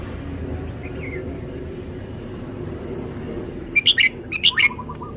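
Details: Red-whiskered bulbul showing off its song phrases: after a long quiet stretch with low background hum, a quick burst of bright chirped notes near the end, a few rising and falling.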